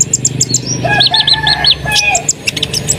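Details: Asian pied starling in full, lively song, used as a lure to provoke other birds into singing: high arched chirps repeated in quick series, sharp twittering notes, over a steady low rumbling background noise.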